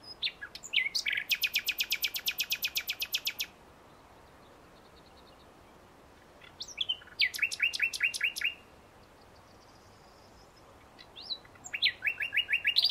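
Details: Common nightingale singing three separate phrases: a long, fast, machine-gun series of loud pulses, then after a pause a shorter rattling burst of rich notes, and a third phrase starting near the end, in quiet surroundings.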